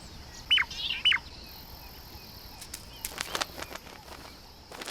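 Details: Shrike pair's morning duet in southern Africa: male calls first and the female answers within a split second, two sharp, ringing high phrases half a second apart sounding like one bird. Soft flutters and rustling follow.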